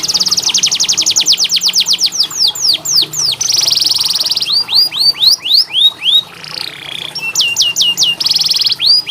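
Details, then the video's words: Canary song used as a training recording to stimulate canaries reluctant to sing: rapid trains of high downward-sweeping whistles, some fast trills and buzzy rolled phrases, about four notes per second. "KENARI malas bunyi, Terapi untuk kenari masteran canary"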